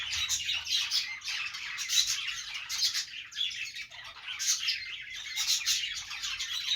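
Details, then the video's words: Happy budgerigar, an Australian parrot, chattering: a dense, continuous stream of rapid, scratchy chirps and warbled squeaks with irregular bursts that swell and fade, high-pitched, with no other clear sounds. "Budgie Noises to make them Dance"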